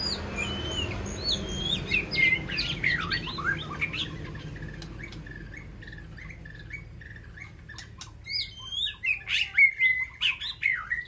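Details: White-rumped shama calling to its flock inside an aviary: varied whistles, sharp clicks and downslurred notes, a quieter middle stretch, then a fresh burst of rapid, loud phrases near the end over low background hum.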